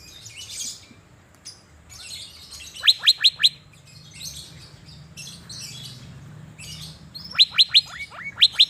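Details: Sunbathing Asian fairy-bluebird in Banjarmasin, Indonesia, delivering two bursts of four or five rapid, ringing downslurred notes, several seconds apart, amid soft high twittering.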